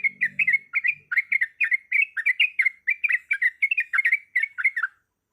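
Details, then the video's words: Yellow-vented bulbul female, in breeding condition, calling a male with a rapid 'ropelan' call: bubbly, liquid chirps tumbling quickly for five seconds before stopping, with a brief low murmur at the start. "Suara Ropelan Trucuk Gacor Yang Ngotot Memanggil Lawan"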